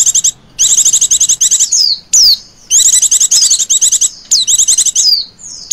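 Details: Oriental white-eye female giving the 'ngecir' lure call: long rapid chattering trills at high pitch, each ending in a clear descending whistle, with three main phrases.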